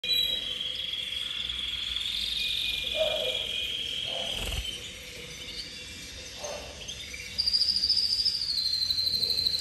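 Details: Copper cobalt intense canary singing: a long, loud, rolling trill held steady for about four seconds, then quieter phrases, then a bright rapid high trill near the end. A steady low hum runs throughout.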